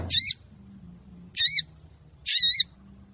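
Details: Calling female crested jay, used as a lure for the male: three loud, harsh, nasal rasps, each about a third of a second long and evenly spaced about a second apart.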